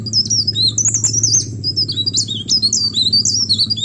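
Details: Lure song of a mountain leaf warbler in the 'receh' manner. Busy, very high twittering with sliding notes and short pauses, set against a constant low droning hum.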